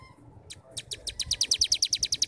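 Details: Starling singing the 'ngebrem' style, a master recording to draw young birds into song: after a few scattered high notes, a fast even series of sharp, high, rattling chips that grows louder, about eight per second.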